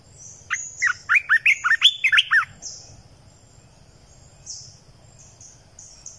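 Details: A decoy Red-eyed bulbul gives a lively run of about eight warbled, up-and-down notes in two seconds, then falls quiet apart from faint, thin high calls against a low murmur.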